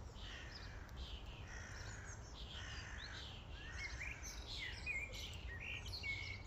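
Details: Common starlings crowding a feeding station as a flock. Steady mix of harsh chatter and short whistles from many birds at once, with a soft low rumble underneath.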